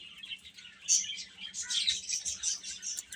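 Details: Young chickens peeping, starting softly and then swelling into a louder stretch of rapid, overlapping high chirps from about halfway through.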